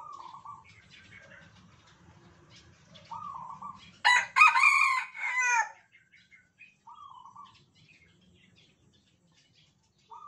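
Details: Sumatran Red Junglefowl kept in a cage since a day-old chick, several males crowing in turn. Quiet, distant, clipped crows surround one loud, strident, broken crow lasting under two seconds, with faint chirps between.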